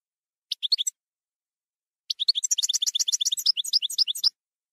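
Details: European goldfinch, campero song style, from a 2020/2021 CD. A short twittering phrase, a pause, then a longer, denser run of rapid, liquid and buzzy notes that gradually slows. No other sounds are heard.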